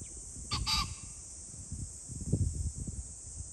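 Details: A pheasant, 21 July 2024, delivers one quick doubled harsh call early on, followed by low rumbling noise and a continuous shrill hiss in the background.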